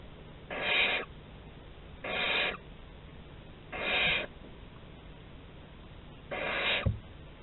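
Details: Barn owl at a nest site in Théding, recorded 11 August 2020 while exploring the corridor: four harsh, breathy hisses, each about half a second long, repeated roughly every two seconds against a steady low hum.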